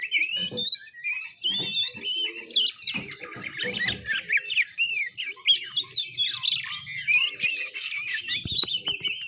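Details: Juvenile oriental magpie-robin's practice song, ngiriwik: a busy, scratchy warble of quick chirps, trills and bending whistles. Scattered clicks and handling taps can be heard beneath the bird.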